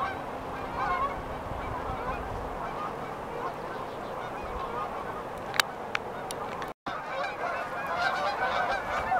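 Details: Flock of geese at Beaver Dam Flats, Calgary, Alberta, lifting off from a riverside resting spot for warmer climates. Dense chorus of honking goes on steadily, with a few sharp clicks midway and a brief dropout.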